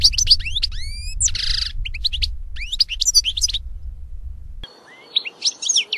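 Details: European goldfinch with high rising whistled notes, a buzzy nasal note and quick twitters over a low rumble, then more chirps in a quieter stretch.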